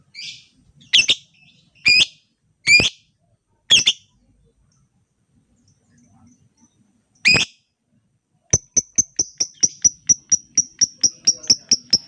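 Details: Lovebird used as a lure for other lovebirds: several harsh high squawks at irregular intervals, then a rapid steady run of short sharp ticking notes, about two per second, for the last few seconds.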